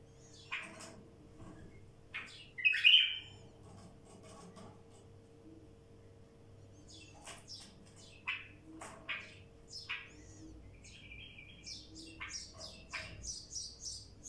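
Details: Wild bulbul song of quick, high chirps and clipped notes in loose irregular bursts, one louder slurred whistle early, then rapid chattering notes near the end, over a constant low hum.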